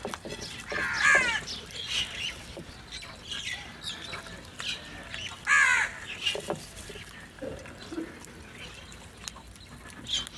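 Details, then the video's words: Crows fighting for food give hoarse, grating caws in two loud bursts several seconds apart, with fainter scattered calls and clicks between them in an outdoor setting. "Crow Fight | Crow Sounds"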